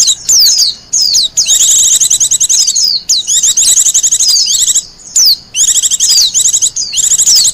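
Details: Wild Japanese white-eye song used for luring and master training: loud, shrill, rapid twitters in clustered phrases, interspersed with quick slurred whistles and short silences.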